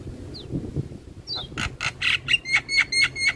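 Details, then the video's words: Morning song of a Javan myna, used as a model for young birds: two thin descending whistles, then a series of harsh, buzzy notes repeated about twice per second, each with a clear whistled overtone. "Masteran Jalak Kebo Pagi Hari Pas Buat Jalak Muda"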